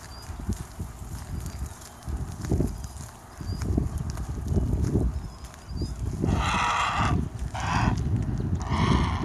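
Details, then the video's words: Blue heron resting calmly, met during a walk with dogs: after several seconds of low thumping handling noise, three loud, harsh, raspy squawks come near the end, the first about a second long, then two shorter bursts. "Loud blue Heron"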